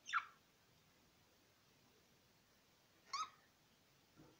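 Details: Two brief, scratchy budgerigar chirps about three seconds apart, from pet birds in a quiet indoor setting.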